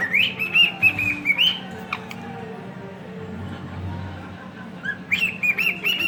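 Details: Two pet cockatiels whistle 'If You're Happy and You Know It' together in clear, bright notes, pausing briefly between phrases.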